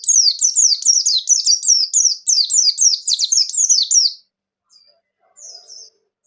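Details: White-eye of the Bustomi type in full song, meant to stimulate other white-eyes to sing. About four seconds of fast, continuous high-pitched twittering made of quick downward-sliding notes, then silence with two faint short chirps.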